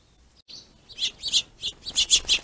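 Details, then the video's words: Finches quarrelling over plentiful food, territorial aggression; a thin whistled note, then a rhythmic series of loud, harsh high chirps about three per second. "Pissy Finches"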